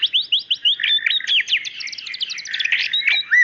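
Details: White-rumped shama female calling the male: fast sequence of crisp, sharply rising and falling chirps delivered almost continuously over a buzzy background tone.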